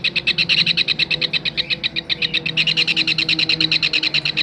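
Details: Kingfisher call for teaching songbirds, a dense rattle of sharp, high chips repeated several times a second, briefly faltering near the middle before resuming strongly.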